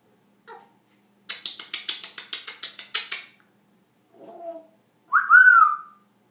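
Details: African grey parrot kept as a pet, making funny noises. One short note comes first, then about ten rapid rasping pulses, a soft low croak, and a bright arched whistle to finish.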